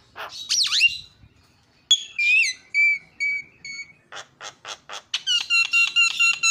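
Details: Javan myna lure sounds to get other mynas calling: a swooping whistle, clear held tones in short steps, a run of short dry notes, then dense ringing whistled chatter.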